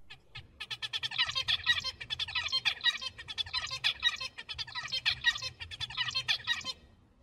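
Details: Zebra finch song, learned from adults like speech: a few quick introductory notes, then a repeated motif of buzzy, nasal and clicking syllables, rattled off rapidly over about six seconds; the series holds three different motifs.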